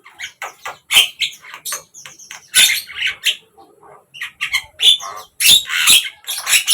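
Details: Javan myna (jalak kebo) singing, recorded across morning, midday and evening: bursts of harsh squawky and chattering notes mixed with short whistles, delivered in loud phrases separated by brief pauses.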